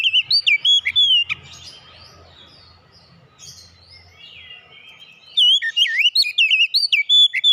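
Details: An oriental magpie-robin delivers varied, warbling whistled notes, falls silent for several seconds over faint low background noise, then returns with a longer run of bright, twisting whistles.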